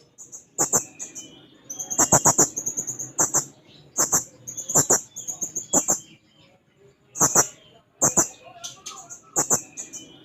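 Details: Blue-crowned hanging parrot singing eagerly while seeking a rival, repeating short, piercing high squeaky bursts every second or so over a soft murmuring background.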